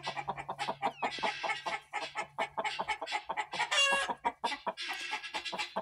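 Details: Mother hen of the Black Australorp breed on 14 September 2023, giving dense, rapid clucks with a brief higher squawk near the middle and thin high peeps mixed in, over a faint low hum.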